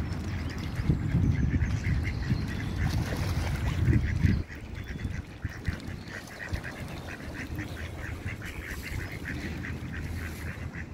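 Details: Ducks in a pond, protecting their young, give a rapid run of short nasal quacks, several birds overlapping at about three per second, over a strong low rumble that drops away after four seconds.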